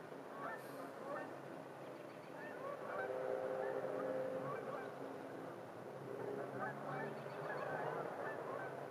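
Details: Geese at a park during a winter sunset give many short, overlapping honks that continue throughout, over steady wind rumble and distant car noise.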